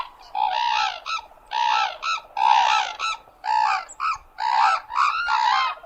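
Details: Crane uttering a rapid series of short, rolling trumpet notes, roughly one burst per second, with a faint low background rumble.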